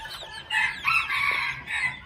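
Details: Two-month-old red junglefowl chicks calling: loud, harsh, harmonic squawking notes in three bursts across two seconds, set against a steady high-pitched insect drone.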